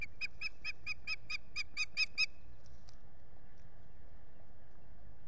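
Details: Osprey begging for food at a nest in the Finger Lakes, US, filmed by a solar-powered camera on 8 April 2022 around midday: a quick series of about ten sharp, piping whistled notes over two seconds, then wind noise.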